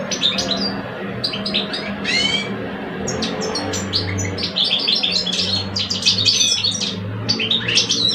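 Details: Caged male European goldfinches, one old and one aged two, competing in song: a busy flow of liquid twitters, buzzy trills and sharp high chirps, with a faint low humming drone beneath.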